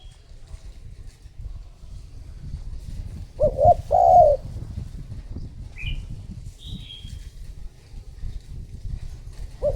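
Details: Lure spotted dove calling to attract other doves: a pair of soft, low coos in the middle, with a rumbling background and a few brief high chirps from other birds.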